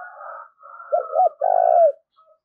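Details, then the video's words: Spotted dove used as a lure for wild doves; higher buzzy calls from another bird open, then the dove gives two quick low hoots and a long, steady coo that falls away. "tiếng chim cu gáy mồi gáy gọi chuẩn kích bổi hiệu quả"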